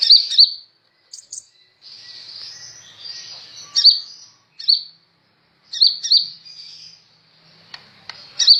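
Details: Sunbird, called kolibri ninja, singing actively as a tutor recording for training birds: bursts of very high, sharp chirps and twittering notes alternating with brief thin trills and short pauses, no other sounds.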